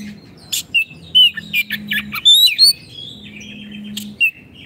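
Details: Vigorous oriental magpie-robin song meant to coax silent caged birds into singing: bright whistled phrases, rising slurs and harsh chips in quick succession, with a low steady hum behind.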